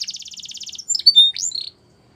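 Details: Singing canary delivering a fast bubbling trill of about a dozen notes, followed by a few sharp slurred whistles and a short buzzy note before falling silent.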